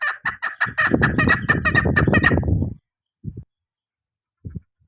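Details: Female chukar partridge used for hunting: fast, harsh clucking chuck notes that crowd together into a rattling run with a low rumble beneath, stopping abruptly, then two faint knocks.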